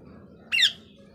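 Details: Pet parrot giving a single brief, harsh squawk lasting about a quarter second, a bright, rasping, slightly rising note, heard against a low, steady background hum.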